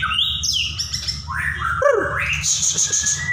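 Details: White-rumped shama song with gliding whistles, a falling slurred note, then a sustained high buzzy trill and a thin drawn-out whistle; low hum behind.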